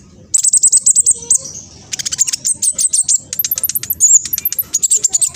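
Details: Black sunbird (king konin), spotted juvenile, East Java, Indonesia, used to trigger other birds to answer. Very high, sharp, rapid chip series in fast rhythmic runs, with sweeping squeaky notes and a short gap near the second second.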